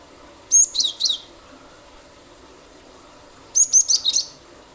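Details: Cinereous tit lure song to get other birds calling: two lively phrases of very high, quick chirping notes, the first with three to four notes, the second with about five, roughly three seconds apart.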